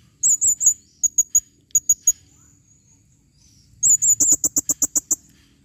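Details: Female blue-crowned hanging parrot calling, 2021: shrill, very high pure squeaks in short groups of three, then a fast rattling series of about ten clicky notes, loud and close.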